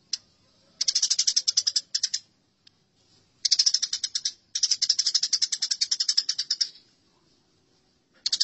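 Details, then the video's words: Eurasian tree sparrows fighting: rapid, harsh chirps in dense chattering bursts of one to two seconds, separated by short silences, with a final burst starting at the end. "Masteran Gereja Tarung"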